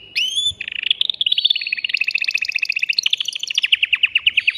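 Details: Caged male canary, worked up and stimulating a female for breeding, opens with an upward-sweeping whistle, then runs a long, fast, even trill of short repeated notes at steady pitch.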